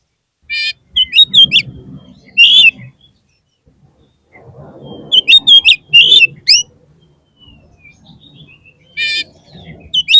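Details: Kacer, or oriental magpie-robin, singing in a lure recording meant to rouse a kacer whose form has dropped: loud bursts of sharp, buzzy, whistled notes in three clusters separated by pauses, with a soft low murmur between them.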